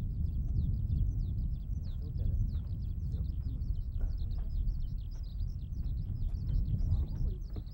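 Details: At Sone Shinden farmland in Kitakyushu, Japan, a skylark pours out an unbroken run of fast, high warbled notes and trills, with heavy low wind rumble underneath; recorded with a Sony BVP-70IS camera.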